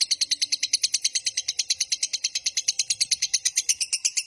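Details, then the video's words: Lovebird's long 'ngekek' trill, a master recording meant to lure and train lovebirds, heard as a steady, unbroken stream of shrill, rapid chattering notes, roughly seven per second, throughout. "Suara MASTERAN Burung LOVEBIRD Ngekek Panjang Paling Cepat Dan Ampuh Untuk Memancing Durasi"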